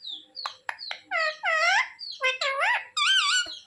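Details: Pet parrot mimicking human speech, asking for roti: a string of harmonic, voice-like syllables with swooping pitch, some rising and some wavering, in a quiet indoor room.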